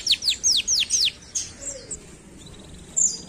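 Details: Canary giving five loud, sharply falling whistled notes, then quieter scattered high chirps and a faint trill.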